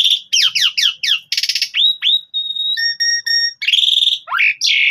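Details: Loud Javan pied starling song meant for other birds of the species to imitate: a rapid series of down-slurred whistles, a buzzy rattle, then a long pure steady whistle, broken tones and squeaky rising notes.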